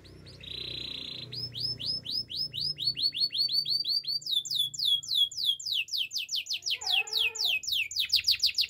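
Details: Spanish Timbrado canary training song: a short held trill leads into a long chain of rising whistled notes, repeated rapidly and steadily, with a brief lower warble midway and soft background hum.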